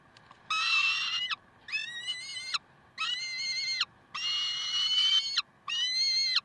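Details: Peregrine falcons in Karlsruhe, 7:27 on 30 May 2010: five strident, nasal wails, each roughly a second long with a dropping ending, spaced evenly by short pauses.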